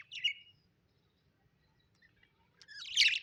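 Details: Happy pet budgerigars: one brief falling chirp, a silent pause, then a loud dense scratchy burst of chatter.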